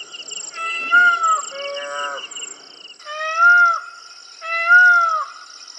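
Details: Indian peafowl gives a run of drawn-out, mewing, cat-like wails with strong overtones, several in close succession. A faint constant high-pitched background tone runs throughout.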